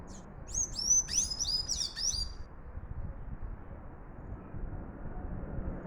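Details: Sayaca tanager singing a lot: a quick run of high, thin whistled notes with sharp up-and-down slides, packed into about two seconds, then only a steady low background rumble.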